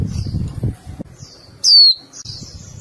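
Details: A female warbling white-eye calling to males gives a loud, thin, high whistle that slides downward, among fainter high chips, over a low background rumble.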